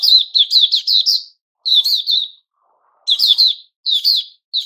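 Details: Captive White-crowned shama in its new-feather season, singing short bursts of quick, bright, chirpy notes, each about a second long, with brief silent gaps between.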